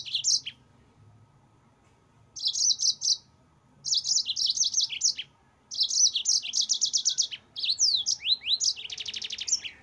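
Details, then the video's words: Caged yellow-fronted canary singing a master song used to train cage birds: bursts of high, rapid, chattering trills separated by short silences, ending in a dense buzzy rattle and downslurred notes. "MASTERAN BURUNG MOZAMBIK GACOR NGEROL"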